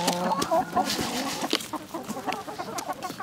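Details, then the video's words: Village chickens, a hen's nasal drawn note at the start followed by scattered soft clucks from several birds, with clicks and rustling throughout. "Dinlendirici Tavuk Sesleri Doğal"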